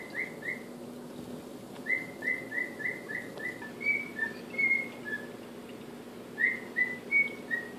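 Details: Male cockatiel whistling the Andy Griffith theme, still rough, a long run of even notes stepping into a few higher and lower ones, then a closing four-note phrase; faint low hum behind.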